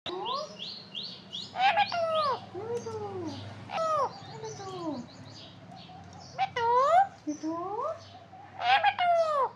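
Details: Parakeet vocalizing, said to be talking: a series of loud, harmonic, arching squawks and downward-curving notes, some in quick clusters, with softer chirps between and a low steady hum underneath.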